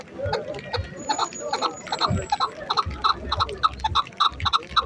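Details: A fighting and hunting chukar partridge calls in an even series of clipped, hard chuk notes, roughly three each second, over low voices and a faint thin whistle early on.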